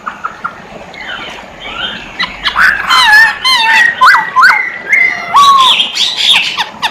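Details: Masked laughingthrush in full, lively song: a varied run of loud whistled and slurred notes, some rising, some dropping sharply, delivered in quick uneven bursts with short pauses between phrases.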